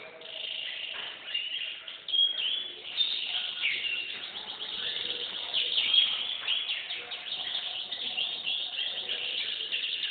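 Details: Canary delivering a continuous high trilled song, fast repeated notes with a few sharp accented whistles, steady throughout.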